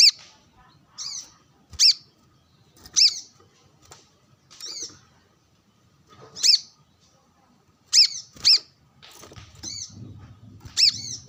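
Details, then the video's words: Sunbathing brown-throated sunbird challenging a rival with wild birds around; sharp high chirps and softer slurred notes, spaced unevenly over several seconds, with a low murmur rising near the end. "Kolibri kelapa | manggar gacor narung bersama burung liar | wiceh gacor"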